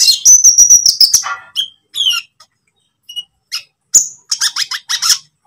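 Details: Konin lovebird, green or pied, singing as a lure to train kept songbirds. A rapid, piercing trill opens, then scattered squeaky notes and a burst of harsh, high chattering chirps.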